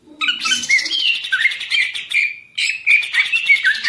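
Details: A kept Greater green leafbird in a rich, fast, varied song of bright whistles and chattering notes, with a brief pause midway before the torrent resumes.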